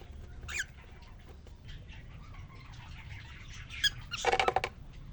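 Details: Caged male cockatiel (quarrion) courting a female newly placed with him after three days alone; quiet twittering with a short sharp note early, then louder scratchy chattering bursts near the end.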